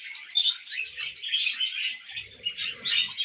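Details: Tamed pet budgies feeding on millet, chattering nonstop: busy overlapping chirps, squeaky whistles and gritty warbled notes from several birds, with soft low rustling and pecking noises near the end.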